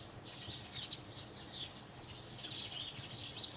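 House sparrows chirping together, a dense chatter of short, bright notes that overlap without pause, with a faint low rumble underneath.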